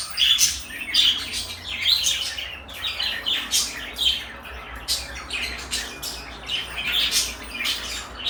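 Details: Two pet parakeets, one blue and one light yellow, chatter in quick, scratchy chirps and squawks, high-pitched and bursting every half second or so with few pauses, against a faint indoor hum.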